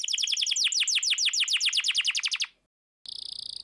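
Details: Fast, evenly rolling canary trill of falling notes lasting over two seconds, then silence, then a steady held high tone. Played as a lure to start silent canaries singing.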